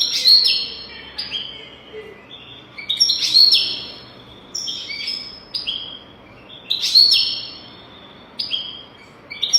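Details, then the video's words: Song of a European goldfinch, played as a training recording for teaching goldfinches: bursts of tinkling, twittering high notes repeated roughly every two seconds, each phrase ending in sliding whistles. "تغريد رهيب طائر الحسون حفاضة لتعليم طيور الحسون بدون أخطاء"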